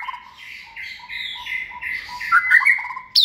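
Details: Caged white-rumped shama, a second-season contest bird raised from a nestling. A series of short, even whistled notes repeats steadily, then ends in a louder twisting phrase and a sharp note.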